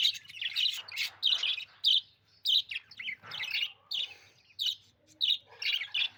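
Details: Budgie chirping in a steady run of short bright warbled bursts, roughly one or two per second, with brief pauses between phrases and a faint low hum underneath.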